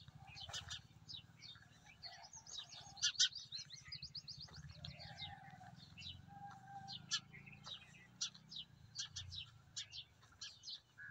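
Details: Sparrows among trees by a maize field under a cloudy sky chirp constantly in short, high, overlapping notes, several birds calling at once, over a low steady rumble.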